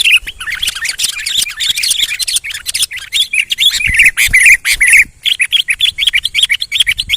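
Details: Male sooty-headed bulbul singing actively: a dense, continuous run of bright chirps and short warbled notes repeated rapidly, with many sharp clicking sounds throughout.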